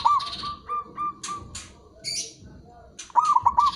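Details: Local zebra dove with a few scattered soft low coo notes, then a louder rolling phrase of four quick notes at the end. Short scratchy high chirps and buzzes from other birds come in between.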